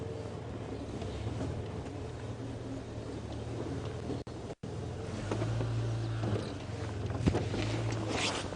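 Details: Engine drone with a low steady hum and broadband hiss during a morning safari drive, a brief dropout midway, then louder rumble, with no animal calls.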